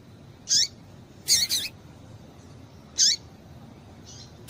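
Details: Female double-collared seedeater call, used to stimulate the male to sing: short, high, bright chirps in clusters of one to three, separated by pauses of about a second, over quiet background hiss.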